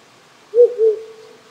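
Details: Night call of a wild owl resident on a hill beside a rural Japanese home: a short low hoot followed quickly by a longer sustained one that tails off, stream noise in the background.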